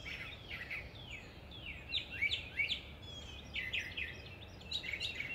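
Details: Common nightingale song: sequences of rapid slurred chirps and whistled downstrokes repeated in bursts, set against a steady hiss of background noise outdoors.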